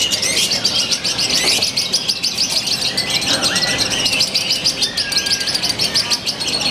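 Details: Lovebird from Purwakarta city, Indonesia, performing its new eccentric style with shortened pauses; rapid high twittering chatter pours out nonstop, dotted with short rising and falling whistles.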